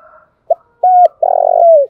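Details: Spotted dove singing as a trapping lure: a brief clipped note, a flat sustained coo, then a long vibrating coo that falls at the end.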